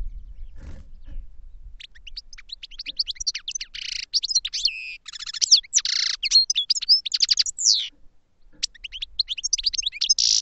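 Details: Goldfinch kept in a training cage sings a long, lively high-pitched warble of rapid twitters, buzzy trills and clear whistled notes, starting softly and building after a low thump.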